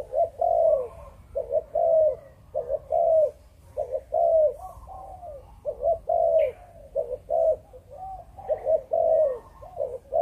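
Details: Chụp Chụp Ô style cooing from a Malaysian-bred spotted dove: a steady run of low mellow phrases, each a brief stutter and a longer falling coo, about eight phrases, while other doves coo softly in between.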